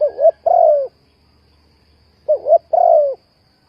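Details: Lure call of a spotted dove for trapping, two clear phrases about two seconds apart, each a short wavering double note followed by a longer, slowly sinking hollow coo.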